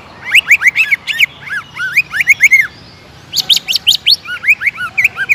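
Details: Greater green leafbird, a prolific singer, in an aggressive-singing lure: fast, chattering bursts of looping, rising-falling whistles, a short gap, then another rapid, rhythmic run of varied notes.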